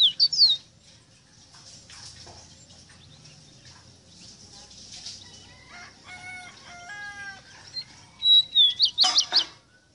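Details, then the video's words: Rosita song: a loud burst of whistled, looping notes at the start, a quieter stretch with other faint chirps and short harmonic calls, then a rapid run of sharp, bright whistles near the end. "EXTRAORDINARIO CANTO DE ESTA AVE ROSITA"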